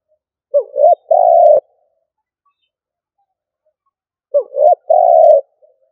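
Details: Spotted dove used as a decoy, giving the stuttering coo style called 'gù cà lăm': two clean phrases about four seconds apart, each a short hooked note, a brief rising coo, then a long steady throaty coo, in silence.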